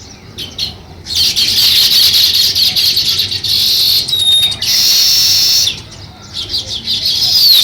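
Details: Sparrows building a nest: a few sharp chirps, then long stretches of loud, crowded chattering broken by brief pauses.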